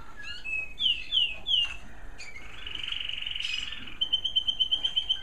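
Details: Bred American Singer canary singing in an indoor bird room at dusk: three loud downslurred whistles, then a long rich roll, finishing with a rapid evenly pulsed trill of about eight notes.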